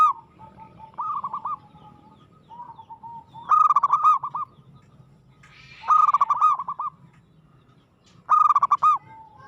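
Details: Zebra dove, a local perkutut, singing an aggressive song: bright trilled cooing phrases near one pitch, several rapid notes then a held ending, repeated about every two to three seconds, with a softer second bird answering between phrases.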